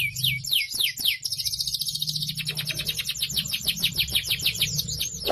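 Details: Domestic canary singing in full voice, used as tutor song for young canaries: rapid tours of repeated high sweeping notes, fast downslurred trills running almost continuously, with a faint low hum underneath.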